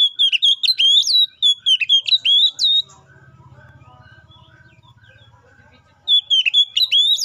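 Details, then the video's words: Kacer, the Oriental magpie-robin, singing 'gacor' to call a rival as a lure: ringing whistled notes with quick upward flicks, a three-second gap filled with a low buzzing rattle, then song again. "KACER GACOR NGEPLONG❗MEMANGIL LAWAN PALING AMPUH BUAT PANCINGAN KACER BIAR CEPET GACOR!"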